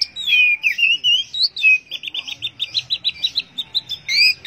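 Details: Orange-headed thrush in teler style song: twisting whistled slurs open the phrase, then a fast even series of about fifteen short chirping notes, ending with another looping whistle.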